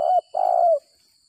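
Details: A spotted dove calls after rain during decoy trapping, in the gagap 6 mata style. One short husky note is followed by a longer, smooth, slightly falling coo, loud and close.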